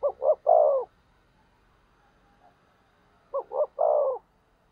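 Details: A spotted dove used as a decoy to stir rivals gives two identical coo phrases about three seconds apart, each two quick notes then a longer falling note.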